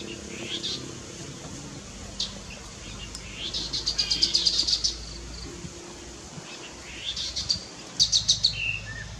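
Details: Chestnut-capped babbler giving quick runs of thin, high, clipped notes in the middle and again near the end, with scattered soft chirps between and a steady low background hum.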